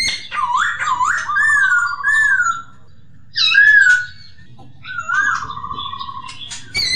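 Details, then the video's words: Training recording of a masked laughingthrush: looping whistled notes and long wavering trilled phrases, separated by short silences, with a rich, full tone. "Poksay terapi suara poksay,hongkong"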